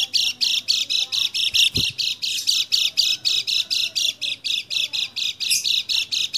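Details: Kecial kuning (lemon-bellied white-eye) song used as a quick prompt to make a silent, lazy bird start singing, dated 28/11/20: rapid, high, chattering notes repeated about twice a second without pause, with one brief low thump.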